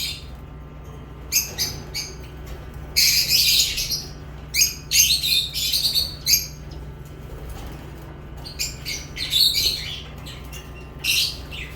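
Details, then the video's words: Lovebirds give bursts of shrill, scratchy high chirps in irregular clusters, a few seconds apart, over a low steady hum. "Love birds chirping sounds"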